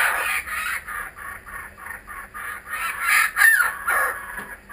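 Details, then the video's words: Kookaburras back again, a chorus of rhythmic cackling notes that swell into louder ringing laughter around three seconds before easing off. "Our Kookaburras are back"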